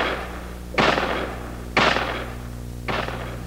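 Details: Three sharp knocks, like hammer blows, land about once a second over a low steady hum, with no animal voice.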